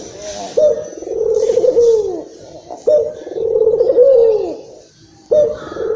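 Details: Barbary dove of the local Indonesian type, agitated, calling to lure other doves: low, vibrating coo phrases that rise briefly then sink, repeated three times with gaps in between.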